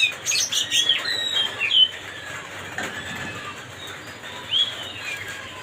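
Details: Oriental magpie-robin (kacer) song used to bait another bird into anger: a few bright whistled notes and slurred phrases in the first two seconds, then a softer lone whistle later, over steady background hiss.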